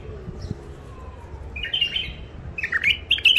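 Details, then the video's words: Wild-caught bulbuls, an old catch from the Mandali crossing area, in their first isolation, singing in the raw wild style: short whistled, warbling phrases in bursts over the last two seconds, with a faint low hum behind. "بلابل وحشيات خامات كاع منفذ مندلي لسانات روعه"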